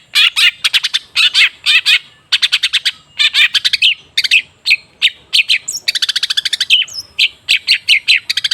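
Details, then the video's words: Rapid long-tailed shrike song used to lure a silent shrike into song: dense, loud clusters of fast high notes in bursts of four to six, with occasional whistled slurs, almost without pause. "Suara TERAPI pancingan cendet macet supaya rajin bunyi..!!!"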